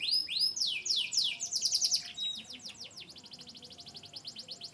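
A canary sings bright, high phrases: sweeping whistled notes, then fast buzzy trills and rapid repeated chips that slow and soften toward the end.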